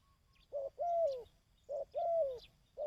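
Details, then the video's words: Dove cooing played to stimulate and train decoy birds: a repeated pattern of a short low coo followed by a longer, slightly descending drawn-out coo, given twice with another short coo at the end, against a quiet low background hum. "Tiếng Chim Cu|Kích Bổi ( Tập Mồi ) 2024"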